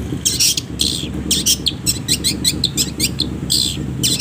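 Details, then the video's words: Long-tailed shrike tutor recording for training songbirds: rapid harsh, scratchy notes delivered in quick uneven bursts, growing denser toward the middle, over a faint low hum. "masteran // pancingan // setingan burung cendet penuh jeda"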